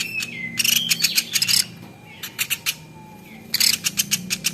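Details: Platuk beras, the velvet-fronted nuthatch, on a tutor recording: short bursts of rapid sharp ticks separated by quiet gaps, with thin drawn-out whistles and a soft low sliding tone between the bursts.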